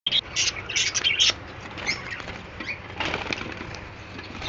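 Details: Newly hatched budgerigar (Melopsittacus undulatus) chicks in Pakistan give begging calls of raspy, hissing chitters in quick bursts, busiest in the first second, with fainter scratchy calls and light rustling after.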